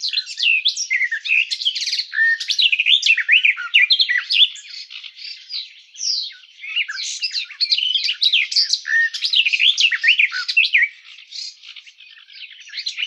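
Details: Sustained garden warbler song, a continuous babbling stream of quick, varied warbled and scratchy notes pouring on without breaks, with only a brief dip in volume toward the end.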